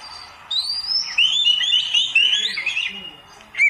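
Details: Kacer, the oriental magpie-robin, in a beginner's masteran recording: a long wavering stream of high whistles starting after half a second, gently rising, with a brief bright note at the end.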